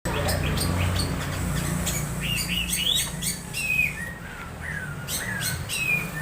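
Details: Captive Orange-headed thrush giving strange calls while being conditioned, played as a lure to stimulate singing during dew sessions: short high chirps and upslurred notes in loose series, over a steady low hum.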